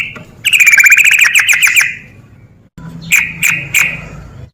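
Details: Sooty-headed bulbul, rapid ropel delivery meant to provoke lazy birds: a loud fast burst of ringing repeated notes with bright overtones, a pause, then three separate sharp emphatic notes.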